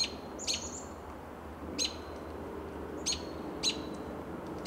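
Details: American robin giving contact calls at dusk from a lichen-covered Coast Live Oak in Del Monte Forest, California, March 2024: sharp, high, clipped notes repeated roughly every second and a half over a soft low hum.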